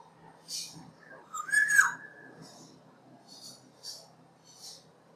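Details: Black-naped oriole singing outside a bedroom: one loud, fluid whistled phrase mid-clip, surrounded by faint soft notes and brief hissy sounds.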